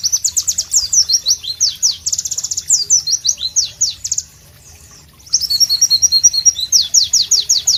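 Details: Loud, melodious Pleci (White-eye) song in natural tropical ambience: rapid high chirps and sweeping whistles, a roughly one-second gap, then fast bright notes and trills again.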